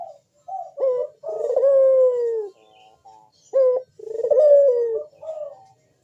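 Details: A Barbary dove calls in the sharp, deep bekur style, a lure to make other doves coo: short notes lead into long, sliding, descending coos, repeated twice over six seconds, clean and close.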